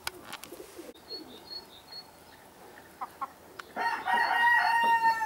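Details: Red-Saddled Yokohama rooster kept with his hens, Holland: after a few scattered clicks and knocks, a loud harmonic crow begins near the end, sustained and strident, cut off before it finishes.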